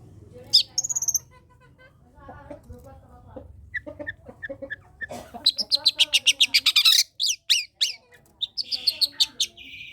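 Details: Long-tailed shrike singing actively as a lure to spur lazy shrikes: soft scattered mid-pitched notes build into a fast, dense run of sharp, high chattering chirps, then a buzzy trill at the end.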